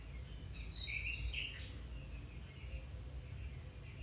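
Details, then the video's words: Domestic canary singing, played to encourage a canary to sing or improve its song: a burst of bright warbled notes and chirps, then quieter repeated twitters over a low background rumble. "Canary Singing"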